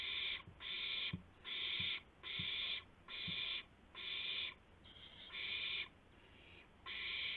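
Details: Owl at 2:51 AM on 2 April 2016, a gopher being delivered to its mate; a run of loud scratchy screeches about every second, with a fainter one near the end and soft thuds underneath.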